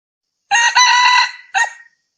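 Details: Wild red junglefowl crowing, dated 6/2/2020: one loud, harsh crow, a strident held phrase of about a second cut off abruptly, then a brief clipped final note, with silence around it.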